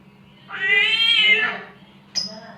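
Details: Samyong, a myna, imitating a mating cat: one long, drawn-out, nasal meow-like wail lasting about a second, rising then falling, followed by a short high chirp. A low steady hum sits underneath.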